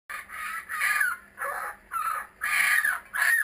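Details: Kookaburras that have returned to a home site: harsh, raucous bursts, five in quick succession, each a rough chuckle ending in a falling note.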